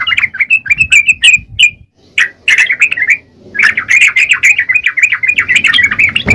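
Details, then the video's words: Yellow-vented bulbul in gacor song: choppy bursts of high, slurred chirps, a pause with a few loud clipped notes, then a long busy run of warbling chirps over faint low rumble. "Burung trucukan gacor..!!"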